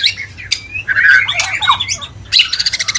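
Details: White-rumped shama mating call meant to bring birds into breeding condition: harsh, scratchy mixed notes and squawks, ending in a quick pulsed chatter.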